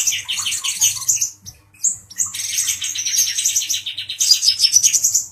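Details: Agitated male brown-throated sunbird provoking a cucak jenggot bird: rapid high chirping notes repeated in quick runs, a short pause near the middle, then a dense sparkling burst of twittering. A faint low hum runs underneath.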